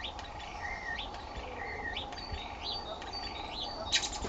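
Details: Two starlings on April 10th 2011, either fighting or mating: repeated slurred whistles that dip and then sweep upward, about one every half second, with thin high notes over a constant low hum.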